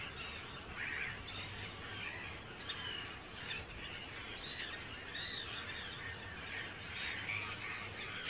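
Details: Arctic tern breeding colony on Rottumerplaat, Groningen, Netherlands, recorded 4 June 2023. Many birds give overlapping harsh, chattering calls, with several louder nasal cries standing out, over a low steady hum.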